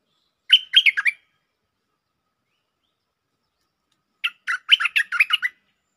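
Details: Lure song of a bulbul with a doubled style. A short burst of bright chirps is followed after a pause by a longer, fuller run of warbling notes.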